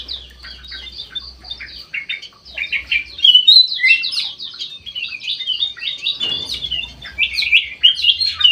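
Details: Black-crested bulbul, locally kutilang emas mata putih, in an aviary, singing persistently; quick series of sharp high chirps builds into a busy, loud chatter of twisting whistled notes, with a faint low hum beneath.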